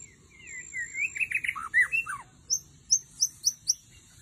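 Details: White-rumped shama (murai batu) song, used as a lure deep in the forest: rich slurred whistles and warbled phrases, then a series of five sharp, high, clipped notes repeated about every quarter second, over a faint low hum.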